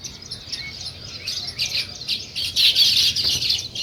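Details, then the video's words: Sparrows chirping in the morning while weaver birds build nests: a busy chorus of short, high, twittering chirps from many birds, growing louder toward the end. "Sparrow Morning Chirping Sounds"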